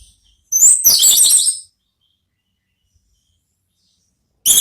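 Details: Ngeplong-style therapy song of an orange-headed thrush, meant to draw a reply from other thrushes: one loud phrase of bright, high twittering notes, then a long silence and the start of another phrase.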